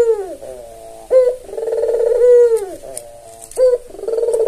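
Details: Albino Barbary dove, white with red eyes, tame and often calling, serving as a lure. Two cycles of a crisp rising note followed by a long purring coo that bends down at the end.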